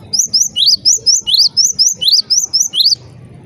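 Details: Java sparrow uttering a rapid, regular chain of about twelve piercing, rising chirps, roughly four per second, a sound reported to get other Java sparrows calling, followed by a faint background hum.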